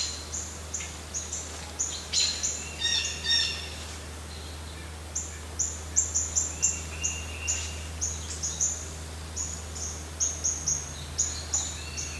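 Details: American robins at a nest in a sweetgum tree by a porch deck in Lancaster County, Pennsylvania, on 18 July 2020, giving very high, thin chips about twice a second, with a few lower notes, over a steady low hum.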